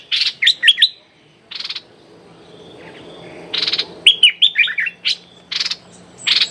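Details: Decoy streak-eared bulbul calling 'rik' at a captive young female: clipped whistled chirps and falling slurs interspersed with rasping buzzy bursts, then a brisk chatter of notes and another harsh burst.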